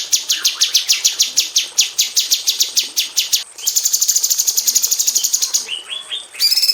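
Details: Female bulbul (cucak cungkok) in an aviary, singing tight rapid-fire 'tembakan' bursts used to tutor magpie robins: a fast series of sharp high strokes, about four a second, then a quicker buzzy rattle and short rising whistles.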